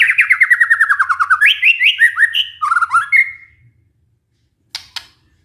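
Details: White-rumped shama song for luring a stressed caged bird back into song: a fast descending series of about fifteen repeated notes, then varied whistled phrases and two sharp clicks after silence.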